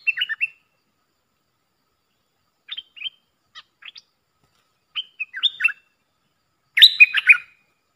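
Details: Puff-throated bulbul decoy recording for training young birds: sparse chattering notes and short fragments spread across long silences, ending in a louder, denser burst of bubbly up-and-down notes.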